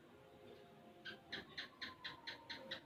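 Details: Young Sooty-headed bulbul, six months old, actively singing while learning ropel and garuda styles: a steady train of seven or eight bright, two-toned notes about a quarter second apart, over a low background hum.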